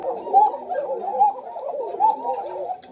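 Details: A pair of red thin-voiced Koka domestic pigeons in a loft, with two chicks, calls more once the chicks are taken out: low rolling warbled coos running together without pause, faint indoor room sound.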